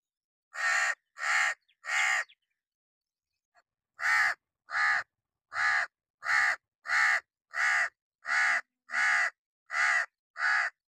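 Hooded crow giving harsh, raspy caws: a burst of three, a short pause, then a steady run of nine more at roughly one and a half per second.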